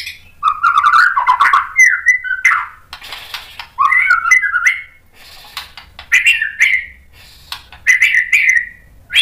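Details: White-rumped shama song, agitated, used to provoke other males into singing: rich whistled phrases around mid pitch, some slurred and buzzy, delivered in bursts with short pauses.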